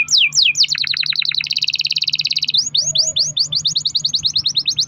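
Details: Canary's long-rolling lure song for prompting other canaries to sing, with steep descending sweeps, a fast buzzy rattle held over a second, then quick rising notes at a rapid pace.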